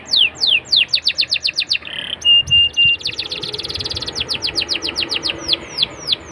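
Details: Canary singing to prompt young canaries to sing: rapid falling whistles, a buzzy pause with three short level pips, then a dense rattling trill breaking back into quick sweeping notes.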